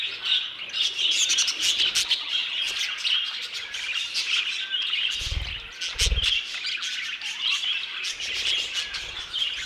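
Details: Budgerigars in an aviary keep up dense high twittering and chirping, interrupted by a couple of loud low thuds in the middle.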